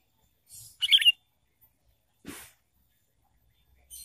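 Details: Sooty-headed bulbul on a trapping lure track: one quick, rich bubbling phrase early on, then a single dry rustling burst and quiet low rumble.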